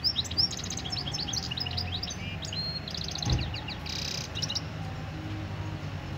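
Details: Goldfinch mule from Algeria, recorded 2018, delivering a lively high song of quick chirps, metallic trills and short rattling bursts, with a brief harsh buzzy note midway, over a faint low background hum.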